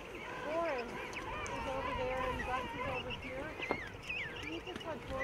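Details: Dense chorus from a huge King penguin rookery on Salisbury Plain, countless birds calling at once in warbling, bending trumpet tones that rise and fall against a constant murmur of the crowded colony.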